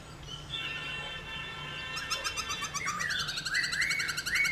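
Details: Caged black-throated laughingthrush singing to stimulate other laughingthrushes to sing; rich layered whistles and harmonic notes, turning into rapid repeated buzzy phrases in the second half.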